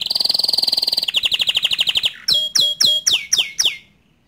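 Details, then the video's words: Bottle-green canary's tutor song for young and untrained canaries: a rapid high trill for a second, a slower pulsing roll, then six separate bright notes that sweep downward, ending in silence. "Kicau Kenari Hijau Botol Untuk Masteran kenari Paud & Bahan"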